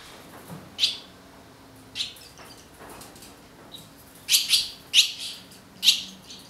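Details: Barn swallows raising their chicks, filmed with an EOS 7D camera and EF75-300mm lens: loud, harsh, broadband chirping bursts in short clusters, several close together near the end, with quiet gaps and a faint low hum between.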